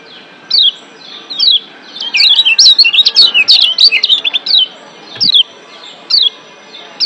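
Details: Lombok white-eye of Indonesia, wild, singing in breeding excitement: a few separate high chirps, then a packed two-second burst of fast twittering, followed by widely spaced single chirps.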